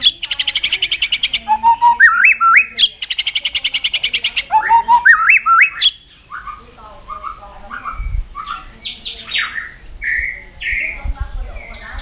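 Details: White-rumped shama in a singing contest, delivering two long fast rattling trills mixed with whistled notes, followed by varied whistled phrases and downslurred notes at a slower pace.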